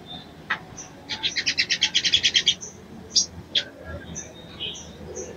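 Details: Female brown-throated sunbird calling a male to stir his arousal: a quick regular series of about a dozen high chips, then a few isolated sharp notes and faint distant chirps.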